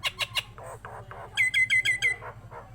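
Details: Nias hill myna singing actively: three sharp notes, then softer nasal calls, then five loud whistled squawks in quick succession, each sliding downward.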